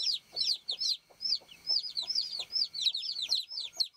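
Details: Baby chickens chirping close up: clear, high peeps that rise then drop, about two each second, with soft low clucking or rustling beneath them.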